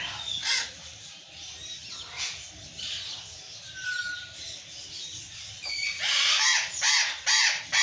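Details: Burrowing parrots screaming: harsh, grating screams, a few scattered at first, then a loud rapid run of squawks near the end, with a brief clean whistle midway.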